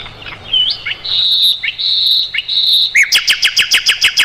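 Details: Mugimaki flycatcher singing, a recording meant for training songbirds: a few slurred notes, then long, steady, high whistles, ending in a rapid, regular trill of about a dozen sharp notes.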